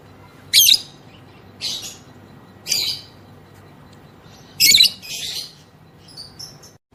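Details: Harsh, high screechy bursts from a female lovebird, roughly one per second, with a longer gap before a louder double burst. The bird's ngekek calls are used to provoke other lovebirds to sing.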